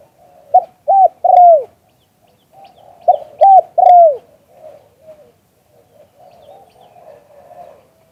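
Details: Spotted dove in the 'liu tan' coo style, recorded live: two three-note phrases, each a short coo and a flat coo followed by a longer downslurred one, about three seconds apart, with soft low murmuring coos between.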